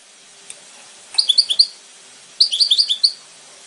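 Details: Two goldfinch phrases, each a quick string of about six bright, high, ringing chirps in under a second, separated by a short pause over faint background hiss.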